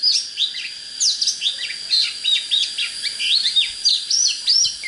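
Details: Oriental magpie-robin song used for training birds and rousing them to fight wild birds: dense, rapid run of varied whistled and slurred high notes, many rising and falling sweeps, over a steady high insect-like hum.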